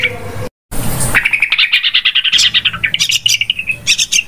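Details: Yellow-vented bulbul lure call for bird trapping, very noisy: after a short gap, a busy stream of bright chattering notes starts and continues, with sharp high chirps scattered through it.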